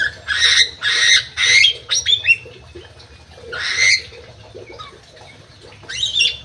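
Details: Captive crewet bird in an aviary delivering loud, grating bursts, three quick harsh calls, a few thinner squeaky notes, then two further isolated rasps after pauses.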